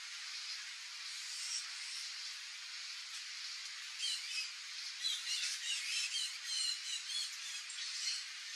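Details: A Sayaca tanager in a backyard gives a thin, squeaky jumble of high chirps, several per second, starting about halfway through over a steady hiss.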